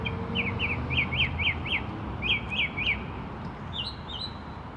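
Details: Bird in a tree giving a run of sharp, hooked chirps in quick succession, about four a second, then a pause and two higher rising whistles, with a low constant hum beneath.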